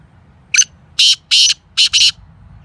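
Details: Kala Teetar, the black francolin, gives its call: a brief clipped opening note, a pause, then four loud rasping buzzes in quick succession, ending abruptly.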